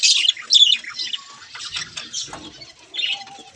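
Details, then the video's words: Chattering budgerigars, a loud burst of scratchy high chirps at the start, then softer warbling and twittering, a short level whistle near the end and a final sharp squeak. "Beautiful Budgies"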